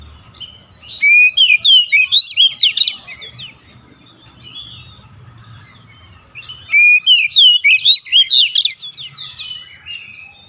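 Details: Kacer (Oriental magpie-robin) in 'gacor' chattering song meant to get idle birds singing: two phrases of rapid, loud whistles and slurs, each lasting about two seconds, with quiet pauses and faint low noise.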